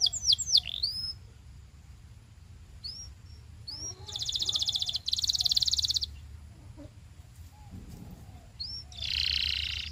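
A Belgian canary sings high, rapid phrases: quick upswept chirps, then long buzzy trills at a steady fast pace, over a low background hum.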